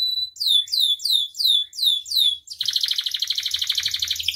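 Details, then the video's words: Energetic canary song for tutoring other birds: a short steady whistle, six or seven loud downslurred swoops about every third of a second, then a dense rapid buzzy trill to the end. "SUARA KENARI AMPUH [#15] MASTERAN DAN PANCINGAN KENARI GACOR FULL ISIAN"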